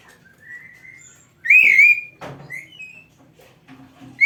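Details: Oriental magpie-robin, a kept bird whose song serves as a training tutor, giving one loud wavering whistled note, then softer short rising whistles and a brief click-like burst.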